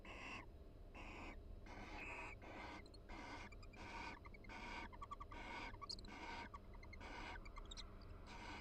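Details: Inside a nest box at the University of Florida, a mated barn owl pair converses quietly while grooming each other: a near-continuous string of hoarse, breathy hisses, roughly two per second.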